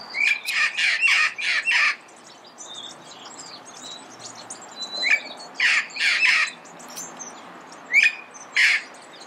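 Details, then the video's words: Red-crowned amazon squawking in early morning in Pasadena: loud harsh bursts, four in quick succession, then pairs of grating cries with short upward-sliding notes, over a background of thin high small-bird chirps. "Red-crowned Amazon Bird Sound, Bird Song, Bird Call"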